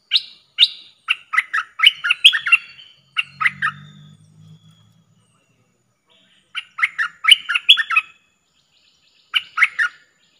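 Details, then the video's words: A streak-eared bulbul (merbah lekir), recorded 19/09/2021 as a luring call, gives bursts of sharp, scratchy chirps, several notes per second, with pauses between bursts and a brief low hum. "Suara pikat merbah lekir gacor"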